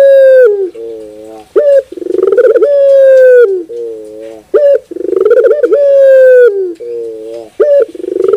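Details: Repeated song of a puter bird (collared dove) played as sound therapy: nasal harmonic coos, each phrase a short note, a stuttering pulsed roll and a prolonged flat coo that falls away, recurring roughly every three seconds without background noise.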